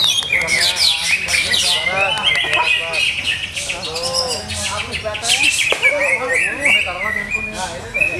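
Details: A caged greater green leafbird under setup trials keeps up fast, varied chattering and whistled phrases, repeated several times a second, with people talking quietly in the background.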